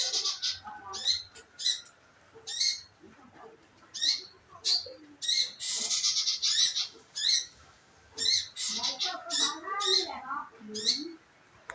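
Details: Scarlet minivet lure calls to coax the bird into song: high, clipped notes repeated steadily about every half second, with other birds twittering at lower pitch in the background.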